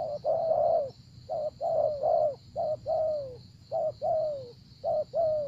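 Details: ['Spotted dove cooing during decoy trapping in Vietnam, a brisk series of paired low coos, each pair a short note then a longer falling one, repeated with little pause over a faint steady hum.']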